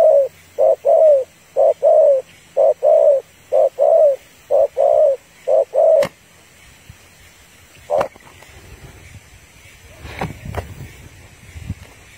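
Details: Female spotted dove calling to stir up males, used as a trapping lure: a steady run of low, mellow coos, roughly one each second for six seconds, then sharp clicks and rustling handling noise.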